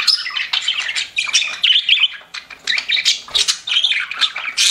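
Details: Chirping pet budgerigars, with bursts of warbled chatter and clear whistled notes separated by brief dips, a few sharp squawks and a soft flutter near the end.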